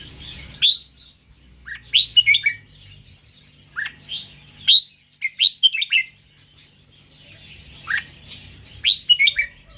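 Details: Red-whiskered bulbul, Indonesian line, repeating crisp high whistled phrases of two to four quick notes, roughly every couple of seconds, with short silent gaps between bursts.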